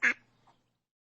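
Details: A mallard gives a single loud, harsh, nasal quack, followed by a faint softer note.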